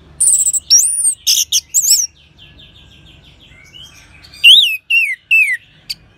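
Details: Orange-headed thrush song used as a prompt for other birds: very high, rapid whistles and chirps, a soft repeated warble in the middle, then slurred descending whistles.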